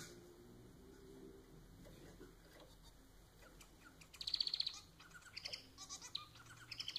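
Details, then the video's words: Domestic society finch, the pet bird known as manon, singing: after a quiet start, rapid buzzy pulsed notes come in quick rattling bursts from about four seconds on, over a steady high electrical whine. "Vídeo para fazer seu MANON cantar muito!"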